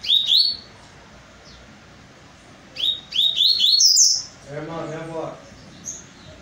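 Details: A single double-collared seedeater, said to be in top form after an outing the day before, delivers quick high sliding whistled notes in two bursts, with a lower buzzy harmonic phrase following and a quiet background.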